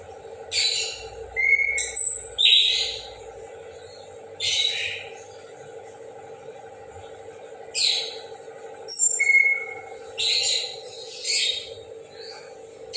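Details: Morning song of an orange-headed thrush: short loud phrases every second or two, mixing harsh, scratchy bursts with clear high whistled notes, with brief pauses between groups, over a constant low background hum.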